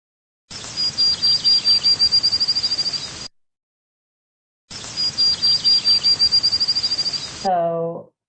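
Field Sparrow sings twice: high, clear whistled notes that start slow and speed into a rapid trill, like a bouncing ball. A brief voice follows.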